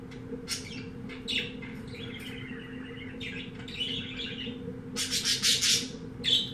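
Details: Pet-shop canary of undetermined breed in full song: scattered high chirps and soft warbled phrases, building to a loud, rapid rattling buzz and a final bright note, against a persistent low background hum.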